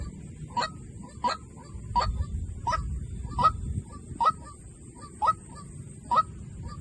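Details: White-breasted waterhen decoy call: short, hoarse, clucking notes repeated about every 0.7 seconds over a low rumble and a steady high hiss.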